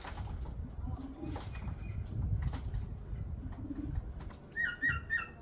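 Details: A male common bronzewing, courting a female, gives low, rough, muffled growling coos and "oom" sounds with wing flaps in a yard in the afternoon, and a smaller bird chirps brightly near the end.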